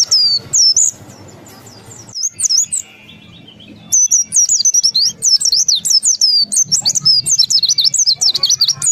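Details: Indonesian pleci, a white-eye (Zosterops) kept as a songbird, singing with beak open: bursts of high slurred whistles, a short pause with a soft buzzy trill, then a long fast run of zigzagging high notes.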